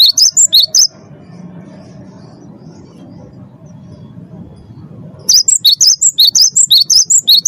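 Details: Song of a Cinereous tit, played as a lure to make caged birds sing: a short run of high, sharp whistled notes, then a long quiet pause with low rumble, then another rapid phrase of alternating high and lower notes.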